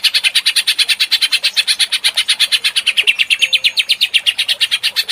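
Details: Emotional greater green leafbird sings a long, even chain of fast, rasping repeated notes, about seven per second, in the ngentrok style, without pause.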